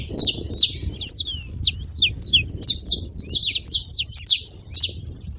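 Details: Noisy free saffron finches at a seva: quick high chirps and thin downslurred notes, clustered in rapid runs and overlapping, with low background rumble.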